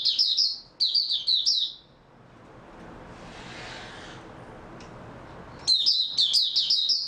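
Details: Oriental white-eye song dated 03-03-2022, after a good sleep: quick high twittering phrases at the start, a long pause with soft rushing background noise, then the chirping resumes.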